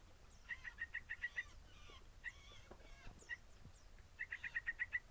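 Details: Yellow-vented bulbul chicks seven days old, one week of age, being hand-fed, giving rapid high chip notes in quick strings of about six, a few single chips between, then another rapid run, soft overall with faint handling noise.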